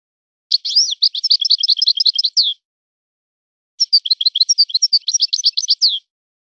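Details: European goldfinch in a named local song style. Two long, dense phrases of rapid, sweet, jangling twitters with slurred notes, each about two seconds, separated by a short silence.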